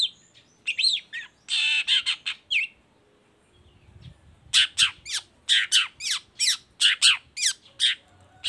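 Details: Baham-type long-tailed shrike in lively song, used to provoke other shrikes to join in. Grating squawks and a long harsh note open the clip; after a short pause comes a rapid, regular string of sharp chattering notes.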